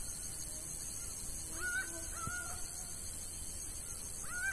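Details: Laughing falcon (acauã) in the sertão of Bahia, Brazil, gives loud, nasal calls that rise then hold steady, about three in four seconds, over a steady high insect hum.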